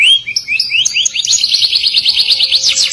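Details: A canary sings a vigorous gacor song in the ngerol nembak style. Rising whistled notes give way to a long, rapid, rolling trill of high, bright notes. The background is quiet.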